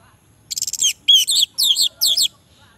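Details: Orange-headed thrush singing, meant to coax reluctant males into answering: a quick stutter of five sharp notes, then four rich warbled phrases, each about a third of a second, with brief pauses between.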